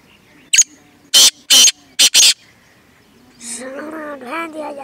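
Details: Village francolin (teetar) near Multan calling with five loud, rasping, broadband notes in a rapid burst, followed by a drawn-out, wavering, tonal animal sound and background rustle.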